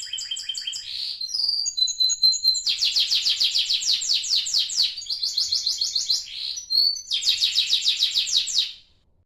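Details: Canary kept as a pet, about 30 days old, singing a continuous run of rapid trills broken by short whistled notes, several trill bursts repeated in quick succession in a quiet room.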